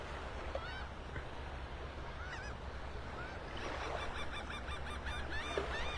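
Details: Distant gulls on a sandbar screech in many overlapping harsh, squealing calls over a steady low surf and wind rumble, heard around 7:35–7:40 on a calm April 27, 2025 morning at Delnor-Wiggins Pass State Park beach, North Naples, Florida, as the tide turns.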